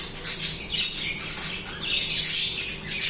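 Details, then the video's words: Budgerigars in continuous song, a dense, raspy stream of high squawky chirps with little pause, a few sharper notes standing out, over a faint background hum. "Budgies singing/chirping"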